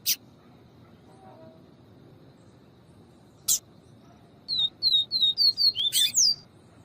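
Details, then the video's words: Papa-capim singing the viviti style of song: a quick run of about eight short, high whistled notes, each sliding down, ending in a rising flourish; a few sharp clicks come earlier over quiet background hiss. "MELHOR PAPA CAPIM CANTO VIVITI E FEMEA CHAMANDO PARA ESQUENTAR PAPACAPIM VIVITI"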